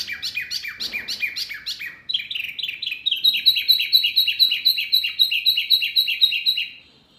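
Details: Birdsong used as training audio to prompt pet birds such as magpie-robins, kacer, cucak ijo and mynas to answer: rapid descending chirps, then a long fast series of high, evenly repeated notes with a thin overlapping trill, in quiet surroundings.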